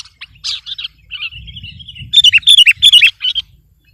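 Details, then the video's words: Sooty-headed bulbul in full song to overpower opponents: a few chirps and a thin, level trill, then a loud run of bubbly, wavering whistled notes. "Suara burung kutilang gacor || menekan lawan 100%"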